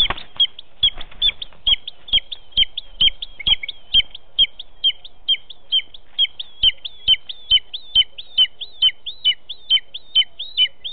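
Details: Booted eagle fledgling learning to fly, calling very close to the nest on 23 July 2019 at 9:18 as the male delivers a mistle thrush as prey: sharp high notes with a downward tail, repeated steadily about twice per second.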